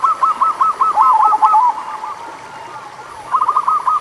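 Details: Local zebra dove song intended to stimulate doves that rarely sing: a fast sequence of soft purring coos fading out, then a shorter rolling phrase after a quiet second.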